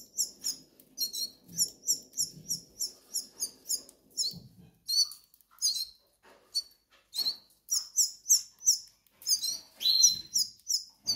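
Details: Canary Islands goldfinch nestlings begging out of hunger: evenly spaced, very high, thin double-peaked tsee notes repeated about twice a second, with a few lower buzzy calls near the end.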